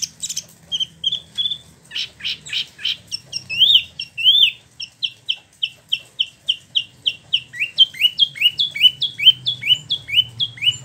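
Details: Caged Spot-throated Babbler (Wambi Mini), imported from China and Vietnam, kept a year in Bandung, West Java, freshly moulted, singing its rolling 'ngeroll' style: quick high chirps building into a long run of rapidly repeated rising whistled notes.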